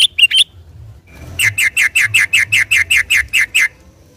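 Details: Sooty-headed bulbul singing lively on a Sunday morning, played as a lure to trap or stimulate the same species. Three quick sharp notes open, then a brief pause and a steady run of about thirteen evenly spaced bright chirps.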